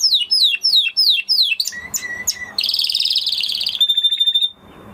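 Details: Singing Spanish Timbrado canary: a run of quick descending whistled sweeps, a few short flat notes, then a dense rapid trill ending in a steady sustained tone.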